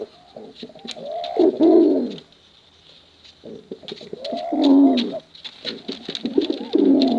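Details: Competition pigeons, male and female, giving long cooing phrases. About three deep rolling coos are separated by a quiet pause, and a few light clicks sound in the background.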